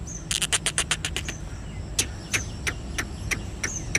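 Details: Grey francolin, a caged bird, gives a rapid burst of sharp clicking notes, then loud, piercing, downward-slurred calls repeated about every third of a second, over a low rumble.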